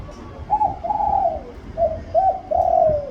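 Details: Spotted dove song: two coo phrases, each a short clipped note followed by a longer, slightly falling hoarse coo, with a brief pause between them and quiet low background rumble.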